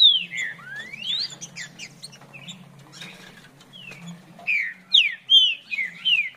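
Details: Green-winged saltator singing farrapo style: a series of clear, slurred whistles, some rising and some falling, irregularly spaced, with a run of loud descending notes in the last two seconds.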